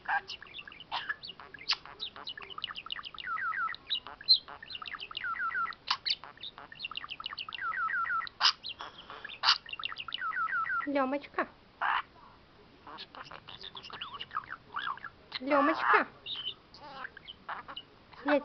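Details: Female budgerigar chatters in a fast, scratchy warble, talking and singing with squeaky imitations of spoken words such as "you're my teacher".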